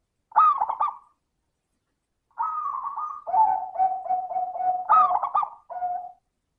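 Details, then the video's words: Local zebra dove cooing, played as a lure to get sluggish doves that rarely call to start singing: three phrases of mellow coos, each with a higher opening note that drops to a lower, pulsing, sustained tone, separated by brief silences. "Pancingan suara burung perkutut - suara kristal"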